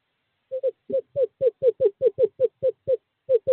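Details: On 2/11/2023, in courting season, a male screech owl calls a female toward a nest box. Following half a second of quiet, a steady run of about twelve short descending hoots plays, then a brief gap and two more.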